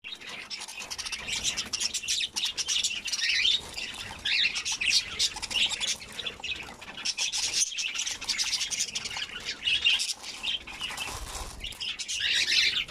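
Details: Breeding rainbow budgerigars keep up a busy, scratchy chatter of chirps and squawks with hardly a pause.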